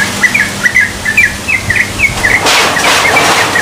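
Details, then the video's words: Young Yellow-vented bulbul just learning to sing: short, slurred chirping notes given in a quick uneven series about every quarter second, then a burst of broad rushing noise masks the later part. "Suara Burung Trucukan Yang Baru Belajar Berbunyi"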